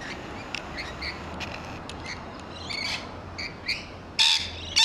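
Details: Several rainbow lorikeets screeching as they feed in a large grevillea in a garden; rapid harsh squawks repeated, ending in two loud noisy bursts close by.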